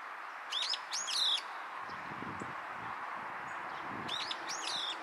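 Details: Brown-eared bulbul fledgling calling with its tongue showing, 10 May 2023 around 14:46, giving two bursts of shrill, harsh, rising notes about three seconds apart, over a steady background hiss.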